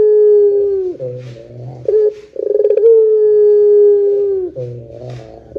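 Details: Long 'pelung panjang' cooing of a Barbary dove, played as a lure for other doves: two sustained, slightly falling low notes, each started by a rapid rolling burr, separated by softer guttural phrases.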